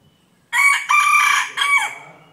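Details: A pet bantam rooster, kept for its looks and its clear morning crowing, gives a short, harsh crow in three quick bursts, bright and strained, the last phrase falling at the end; nothing else is heard.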